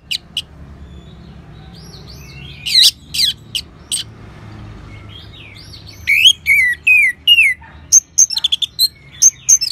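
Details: An orange-headed thrush sings sparse, scattered high notes at first. It then builds into a quick run of clear, looping whistled phrases. The recording is played to coax other birds into singing.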